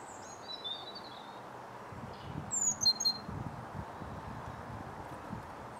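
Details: A pair of European goldfinches lingering on a feeder, eating nyjer seed in southern England in January; thin, high twittering chirps in quick short bursts, mostly in the first half, over a steady background hiss with low rustling thuds.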